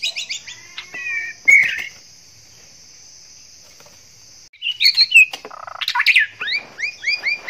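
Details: Courting male white-rumped shama in breeding condition: scattered sharp chirps and a loud burst early, about three seconds of near silence with a steady high whine, then a dense run of varied whistles and down-slurred notes.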